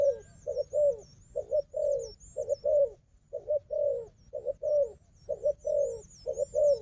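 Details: Wild dove engaged in fighting with a decoy: low mellow coos in doubled and tripled notes with uneven gaps, and a wavering high twitter of another bird in the background.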